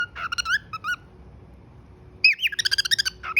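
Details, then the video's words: Pet cockatiel whistling: short bursts of bright rising and falling whistled notes, then after a pause a quick run of chirpy, harmonic notes repeated in rapid succession. "cute Whistle"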